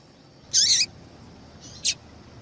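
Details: Yellow-bellied seedeater female calling to excite a male into song. A longer, grating, high note sliding downward, followed after a pause by a short thin chip.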